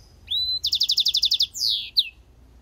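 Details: Short burst from a European goldfinch–canary hybrid: a rising whistle, then a rapid string of about a dozen identical bright chips, a falling buzzy sweep and a final sharp note.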